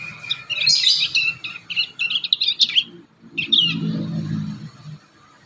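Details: Juvenile prinia learning its song in the wild: a fast, jumbled run of high twittering and scratchy chirps for over two seconds, a pause, then a short further twitter over low rumble.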